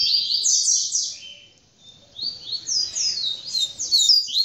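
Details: Tamborete-style song of a captive double-collared seedeater just after it mated with the female: bright, high, fast phrases of descending slurred notes, a short dip in volume midway, then continuous energetic twittering to the end.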